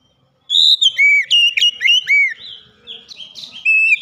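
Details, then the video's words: Oriental magpie-robin singing with beak wide open: loud sweet whistled notes, some rising and some falling, delivered quickly in a continuous varied phrase, softer in the middle and swelling again. "Kacer langsung gacor ngeplong buka paruh dengan lebar"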